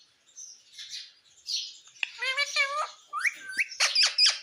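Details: Talking parrot kept as a pet, said to say "mummy mummy"; scratchy chatter leads into a speech-like harmonic phrase, followed by sharp, loud chirps and clicks.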